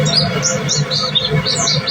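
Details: White-breasted white-eye (pleci dada putih) singing continuously in the tembakan style: quick high thin chirps and short slurred notes repeated rapidly, over a steady low hum and faint background music.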